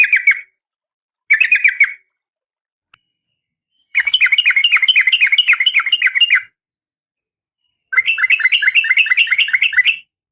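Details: Breeding female oriental magpie-robin calling for a male, giving two short harsh bursts followed by two long rattling, buzzy chatter series of about two and a half seconds each, separated by silence.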